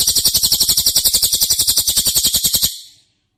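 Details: White-rumped shama (murai batu) 'tembakan' fill-in phrase used as a training master: a fast, even, high metallic trill of rapid pulses lasting nearly three seconds, then fading away.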